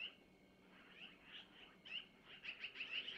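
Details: Long-eared owl owlets at a nest camera, Missoula time 05:05, 25 April 2024, begging while the mother takes food from the male to feed them: thin, squeaky high calls repeated in quick uneven bursts, growing denser toward the end.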